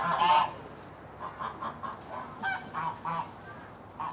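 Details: Geese heading to bed at Beamish in the evening, giving one louder honk followed by a string of softer, evenly spaced nasal honks, roughly two or three per second, against quiet background.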